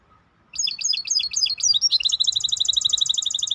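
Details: Maestro bird song: high, choppy twittered notes repeated several times a second, speeding into an even, rapid, bright trill.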